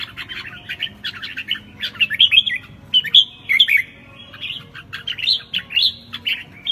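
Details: Classic "ché" song of a red-whiskered bulbul: clusters of quick, sweet warbled phrases with rising and falling slurred whistles, separated by brief pauses, in a quiet setting.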